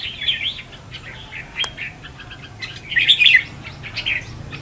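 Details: Red-whiskered bulbul contest singing used as a trapping lure: fairly soft, scattered whistled notes building to one louder warbled burst near the end.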